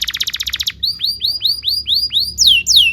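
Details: Canary song recorded for tutoring young canaries: a rapid stuttering burst of notes followed by hooked whistled chirps repeated roughly twice a second, ending in longer downward slurs.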